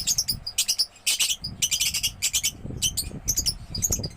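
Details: Young lovebird singing in gacor style, a lively nonstop chatter: dense bursts of high, scratchy chirps and short trills with brief gaps, over a faint low rumble in the background.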